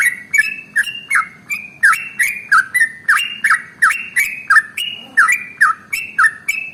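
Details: Trucukan, or sooty-headed bulbul, in a super-long 'ropel' song for training other birds: evenly paced, loud, liquid whistled notes with downward flicks, about three per second, continuing without pause.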